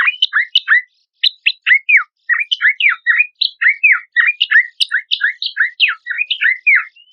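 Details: Horsfield's babbler song used as a lure and training material for competition songbirds: a long, continuous run of loud, varied whistled notes, mostly down-slurred, delivered in quick uneven bursts.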